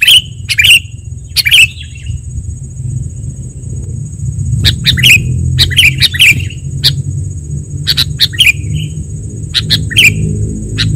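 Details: Sooty-headed bulbul sounds used as a lure for trapping and as training material: short bright chirps with downward slurs, given singly and in quick clusters, over a steady low rumble and a constant high-pitched whine.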